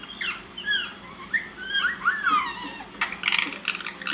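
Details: Pet Rose-ringed parakeets chat to each other indoors at nap time in quick squeaky whistles and rising and falling slurs, with a burst of harsher, buzzy notes near the end.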